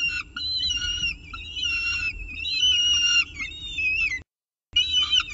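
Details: Peregrine falcon at its CSU Orange nest with a pigeon for breakfast, 24 October 2018, 7:59 am; loud wavering whistled wails with bent, harmonic notes, nearly continuous, broken by a short silent gap, with low background hum.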